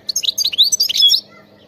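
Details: Wild European goldfinch in bitbita-style song: a continuous, rapid flow of high tinkling and slurred twittering notes that ends in a drawn-out buzzy note, about a second long and loud against a quiet background.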